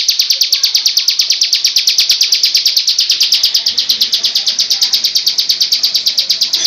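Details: Rapid, machine-like run of shrill high notes from a bar-winged prinia of the crystal ciblek type, repeated several times a second without pause, with little else audible behind it.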